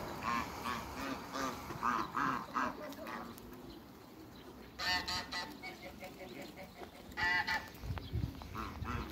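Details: Several African geese on a waterbird farm, meeting a newcomer, give harsh harmonic honks in bursts throughout, louder clustered series around the middle and near the end, over steady background noise.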